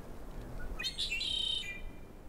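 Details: A Red-winged Blackbird in a riparian area of Yosemite, red on its wings visible, sings once: a few short, harsh opening notes, then a buzzy, ringing trill lasting about half a second; faint low background rumble.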